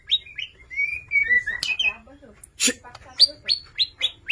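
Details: Prolific Borneo White-rumped shama with rich mimicry: sliding whistles falling in pitch, then a sharp click, then a series of short, high, down-slurred notes repeated at steady intervals.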